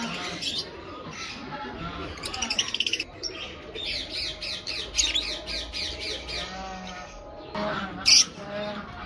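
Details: Fischer's lovebirds: bursts of shrill, squeaky chirps in quick runs, with a rapid rhythmic sequence in the middle, a few scratchy squawks, a sharp clatter near the end and faint background noise.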